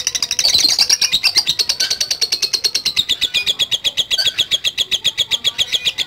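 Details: Lovebird delivering a long ngekek trill, an unbroken run of fast, harsh, high chattering pulses, about four per second, slowly sliding lower in pitch across six seconds.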